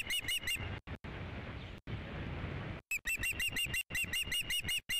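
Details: At a ranch nest on 3 July 2016, with the fifth fish brought in, an Osprey gives quick strings of bright, piping whistles with a downward curl, a short burst, a two-second lull, then a steady rapid series.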